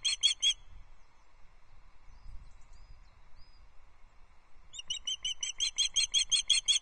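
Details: An osprey female on the nest at Loch Arkaig calls for fish on 14 July 2024 around 05:27, with the male present before mating: a quick burst of high whistled chirps, then a longer run of sharp piping notes, about five per second, over a faint hum.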